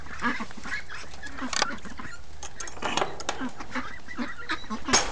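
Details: Flock of free-range ducks calling in the early morning: hoarse, honking quacks overlap in quick bursts against constant low background noise.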